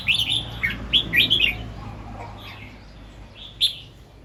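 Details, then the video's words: Morning song of a red-whiskered bulbul, described as doubled two to three times with 'rik' singing. A quick run of loud, bright, chirpy whistles comes at the start, then a quiet gap and one final note. "เสียงนกกรงหัวจุก ร้องเบิ้ล2-3 ร้องริก"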